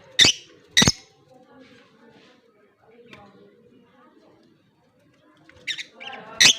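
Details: Pet lovebirds, a blue personata and an albino, recorded October 25, 2023, give sharp, shrill chirps, two quick ones at the start and two near the end, with faint murmur and soft chatter between.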